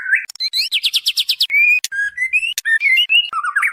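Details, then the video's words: White-rumped shama female calling the male, a lure recording: a series of quick rising chirps repeated around eight times, then even whistled notes, sharp clicks and a final descending run of short slurs. "SUARA MURAI BATU BETINA MEMANGGIL JANTAN"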